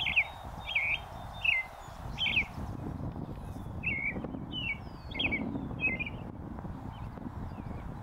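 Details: A leucistic American robin sings from a post in oak savanna of the northern USA, delivering a string of about ten slurred, caroling phrases, dense at first then spaced out, over steady low rumble and faint high bird notes.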